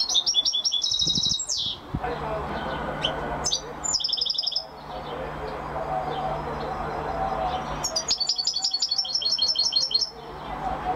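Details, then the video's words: Champion singing European goldfinch delivering long runs of rapid, rattling trills and high tinkling notes in three bursts, over faint low hum and hiss. "Carduelis(Goldfinch) Champion amazing singing !"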